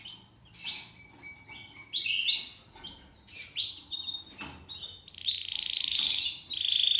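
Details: Young male Spanish Timbrado canary, seven months old, song in discontinuo style: short clipped metallic notes and rising whistles in spaced bursts, ending in a loud sustained buzzy rolling trill.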